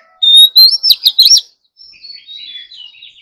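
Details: Oriental magpie-robin practising its morning song: a long steady whistle leads into a quick rippling trill, followed after a short gap by softer, fading warbled notes.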